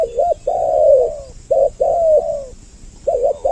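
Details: Spotted dove lure call to attract males and females: a short double coo leads into a long, slowly falling hollow note, repeated twice, then another quick double coo.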